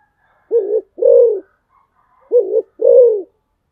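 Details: Spotted dove used as a decoy, uttering two paired coos: a clipped soft hoot followed by a fuller, longer, downslurred coo, then silence.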